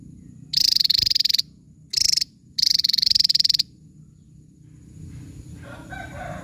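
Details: Javan tesia (Tesia superciliaris) song: three sharp bursts of rapid, high, buzzy pulsed notes, the longest about a second, followed by faint background noise.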